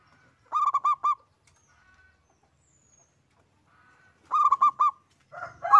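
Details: Local zebra dove, one bird, in full song: two short bursts of four rapid cooing notes separated by a long silence, with the start of another louder call at the end.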